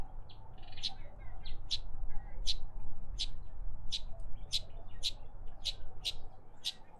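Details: Karoo thrush at a bird bath in a suburban garden in Pretoria, South Africa: a steady series of sharp, high, clipped chirps repeated about twice a second, with a low background hum.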